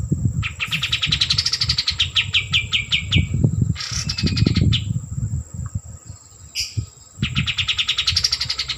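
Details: Kapas tembak, or white-eared bulbul, delivering several fast high trills of repeated notes, each rising then falling, with gaps between phrases and frequent low knocks and rumbles underneath.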